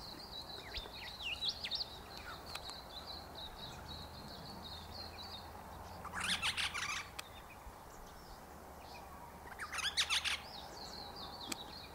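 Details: Eastern Rosella (Platycercus eximius), foraging for ripe wild African boxthorn berries, gives a run of high, thin, tinkling chattering notes with two louder harsh bursts; low background hum throughout.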